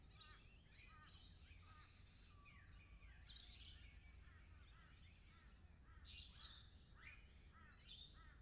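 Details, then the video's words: A group of lorikeets gives rapid, piercing chirps and rasping screeches in clustered bursts. Some brief slurred whistles are mixed in, and a low outdoor rumble runs underneath throughout. "360 VR sounds of lorikeets"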